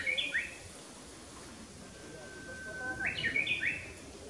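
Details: Japanese bush warbler with an amusing, flawed song: the tail of one phrase, then a long thin whistle followed by a burst of quick stepped notes, over quiet rural background.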